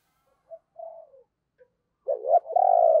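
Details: Captive spotted dove used as a decoy to lure wild doves, a 'giọng sấm bầu' deep-voiced singer: soft, low coos at first, then a loud burst of rolling, throaty coo notes held near the end.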